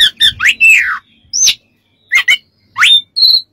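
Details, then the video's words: Oriental magpie-robin song used as a master recording for training other birds: loud varied phrases of rising whistles, sweeping slurs and harsh chattering notes in quick bursts separated by short pauses. "MASTERAN KACER DAN TERAPI"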